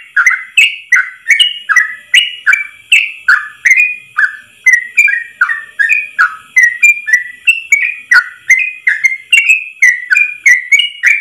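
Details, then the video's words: Yellow-vented bulbul ropel song, a long unbroken run delivered in one breath for training caged trucuk birds: quick liquid whistles stepping up and down, each note opened by a bright click, almost three per second. "Masteran trucukan terbaik ropel 1 nafas panjang"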